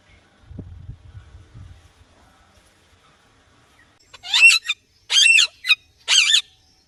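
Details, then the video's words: Green Indian ringneck parakeet's natural calls: after a quiet stretch with low rumbling, three loud, harsh, wavering screeches ring out about a second apart, each followed by a brief shorter note. "Indian Ringneck Parrot Chirping Sounds and Natural Calls"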